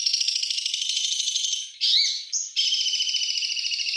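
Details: White-rumped shama song played to prompt silent shamas to sing: a dense, rapid buzzy trill, briefly broken near the middle by a short sharp note and a high whistle, then resuming steadily.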